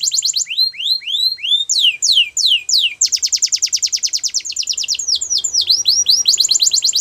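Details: Russian canary singing flute style, with rising and falling slurred whistles, then a very fast even roll of repeated notes and further swooping phrases.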